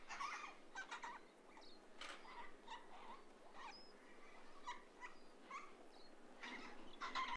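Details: A flock of Major Mitchell's (pink) cockatoos swinging on an old telegraph line gives harsh, grating screeches in quick irregular bursts, with a few thin high whistles mixed in.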